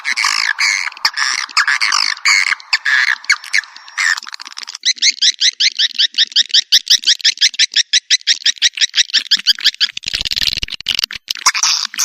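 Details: Swiftlet calling sound in a piezo version, made to attract swiftlets. Loud, dense chirping trains give way to a fast, steady series of sharp chirps repeated several times a second, with a brief noisy crackle near the end.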